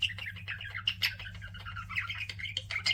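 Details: Pet budgerigars chirping indoors: a busy stream of warbled, chattering notes and short squawks overlapping throughout, several birds calling together, with a steady low hum in the background.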